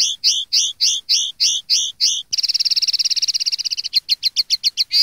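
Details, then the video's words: Common linnet song recorded for teaching young linnets to sing: a run of repeated rising whistled notes, then a fast dry rattling trill, then quicker clipped notes, all high-pitched and clear. "cd educar pardillos noveles 2013"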